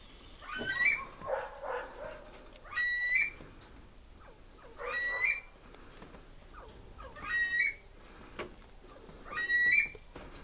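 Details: Aviary-kept Himalayan monals repeat a rising, ringing whistle five times in ten seconds, each note climbing and finishing with a clear high tip, with soft murmuring sounds between calls.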